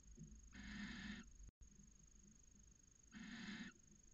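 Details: Barn owls copulating in a nest box at Cabañeros National Park, among the first matings of the season from late January; two drawn-out harsh hissing screeches under a second long, separated by a pause of about two seconds.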